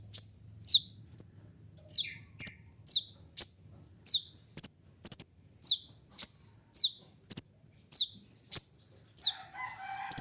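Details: Kolibri ninja sunbird in a long steady run of bright, high, downward-flicking chirps, about two per second, with a brief lower rattle near the end.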